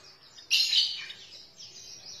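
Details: Oriental white-eye (Zosterops palpebrosus), song: a sudden thin high twittering burst, then fainter trailing chatter, used as a lure recording to prompt other white-eyes to open their beaks and sing.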